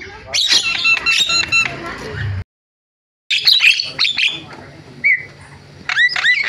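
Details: Javan myna giving a varied song: a burst of harsh chatter and clicks, a short silence, then scratchy notes, a brief whistle and a final pair of upward-sliding whistles.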